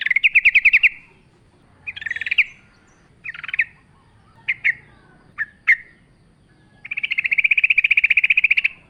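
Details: Yellow-vented bulbul heard in energetic forest-style singing: a rapid stuttering chatter, several short scattered chips, then a long fast buzzy rattle.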